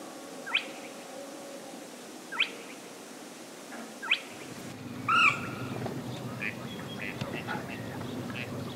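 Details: Western swamphen recorded in wetlands of Spain and Portugal: three short, downward-sweeping calls about two seconds apart, then a louder, harsher call over rising background wetland noise.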